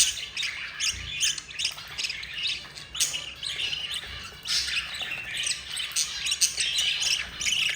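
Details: A yellow mother budgerigar feeds four babies, which answer with raspy, buzzing begging squawks, rising and falling in rough waves roughly once a second.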